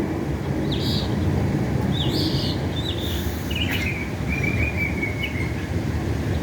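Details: Mockingbird in America making multiple different sounds: short varied high phrases, some buzzy and some whistled, separated by pauses and ending in a longer trill, over steady loud low traffic rumble.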